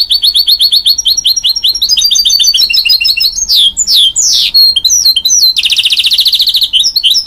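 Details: Goldfinch-canary hybrid (mule), offspring of a goldfinch crossed with a canary, singing a loud, varied song: rapid repeated high chirps, then buzzy rising and falling notes and a dense trilled rattle near the end; a faint steady hum underneath.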